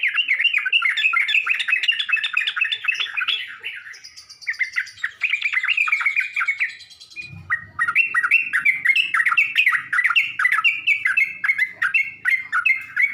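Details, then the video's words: Yellow-vented bulbul song used as a lure to provoke other bulbuls: dense, continuous bubbly chattering with rapid warbled notes, briefly dropping away midway before resuming just as busily. "Burung trucuk manapun gak bakal diam kalo dengar pancingan ini"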